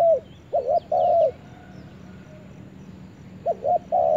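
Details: Spotted dove in forest: a paired short coo and a long level coo, then a pause of two seconds before the same phrase begins again, faint chirps of other birds behind.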